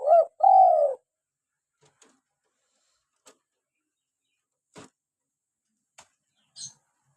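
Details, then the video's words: A local spotted dove, a lure and prompt for captive doves, ends a phrase with a short hoot and a long falling coo. Silence follows, broken only by a few faint clicks and light taps. "PANCINGAN SUARA ASLI BURUNG TEKUKUR LOKAL GACOR"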